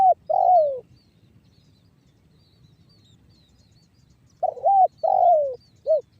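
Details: Spotted dove coo phrases in the banggo bocor lure style, used to make other doves sing: a long slurred descending coo, a quiet gap of several seconds, then a doubled coo, falling note and short final note.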